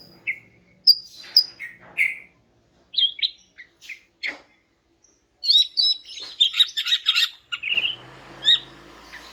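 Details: Female greater green leafbird (cucak ijo) in breeding condition, calling to males and played to get quiet males singing: scattered high whistles and sharp notes, then a dense burst of chattering phrases, with a low hum near the end.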